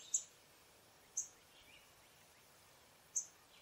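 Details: Brown-headed cowbird producing three brief, very high, sharp notes spaced irregularly about one to two seconds apart, with soft lower twitters faintly between them over steady background hiss.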